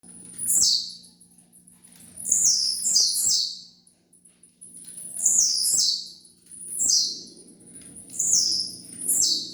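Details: Blue-black grassquit (tiziu) song recorded for training birds: high, buzzy, sharply descending notes given in short bursts every one to two seconds, with faint clicks and a steady low hum beneath.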